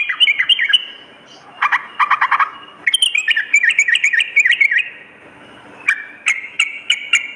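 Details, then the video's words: Sooty-headed bulbul in vigorous song, played as a lure for mornings and nights: quick warbled chirps broken by harsher clustered notes, then more bubbly phrases and spaced sharp calls near the end. "suara pikat dan masteran burung trucuk gacor pagi dan malam"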